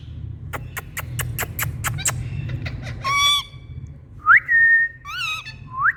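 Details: Indian green parrots, or rose-ringed parakeets, producing different sounds: a regular string of clicks, a harsh harmonic screech, then a sharp rising whistle running into a long level note and more squawks.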